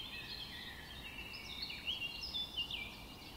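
A young Painted Bunting gives a steady stream of thin, high, overlapping chips and twitters, with short rising and falling notes over soft background noise.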